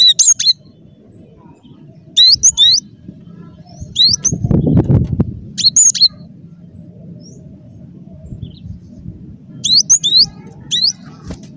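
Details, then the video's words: Cinereous tit singing vigorously, a lure recording for trapping: scattered groups of high, hooked chirps every two to three seconds across the stretch, with a soft low rushing noise in the middle. "Suara Burung Glatik Batu Gacor"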